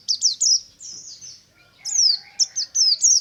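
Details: Morning ngalas song of a white-eye, with quick high chirps running into longer, thin, downslurred whistles, then a fresh run of bright chirping notes.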